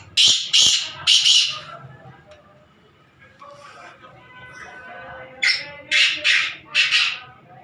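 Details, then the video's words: Grey francolin kept as a competition bird. It gives loud, harsh, grating call notes in two bursts, three rapid notes at the start and four near the end, separated by a quieter stretch with faint background voices and music. "تیتر کی آواز ہے یا ہتھوڑا"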